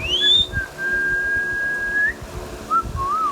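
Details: Indian ringneck parrot, a pet green parakeet, whistling: a short rising whistle, then a long steady whistled note that lifts at the end, followed by two brief wavering whistles, over low indoor rumble.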